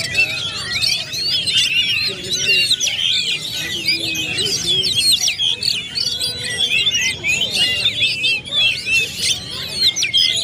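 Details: Several White-rumped shamas in a bird-contest setting, all singing vigorously at once. Busy overlapping high-pitched whistled notes, slurred sweeps and quick chatters run without pause, pulsing slightly in loudness over a soft low hum.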